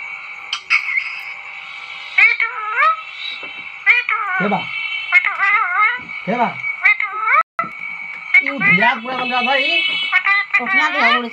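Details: Pet talking parrot eating an apple gives a long series of nasal, arched, squawking calls that rise and fall, some drawn out and wavering, over a steady high electrical whine. A deeper voice-like sound mixes in near the end.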